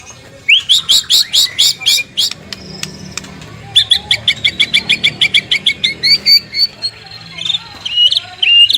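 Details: {'caption': 'White-rumped shama song used as a morning lure to prompt other shamas to sing: bright, clear notes repeated in quick series, first rising, later pulsing steadily, with a short drawn-out whistle between bursts.'}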